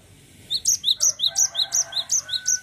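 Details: Continuous 'ngerol' rolling song from a Cinereous tit. About nine bright, high two-note phrases are delivered at a brisk, even pace over a faint hum and a thin background tone.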